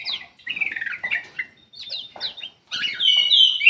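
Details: Kutilang emas bulbul singing as a lure for reluctant caged songbirds, with slurred whistles and rapid chattering phrases broken by short pauses, ending in a louder, sustained warbling run of bright whistled notes.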